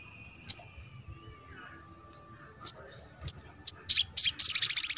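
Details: Sogon, the little spiderhunter, in therapy playback aimed at making a reluctant bird sing: scattered high chips that speed up into a rapid, dense rattling series of sharp notes.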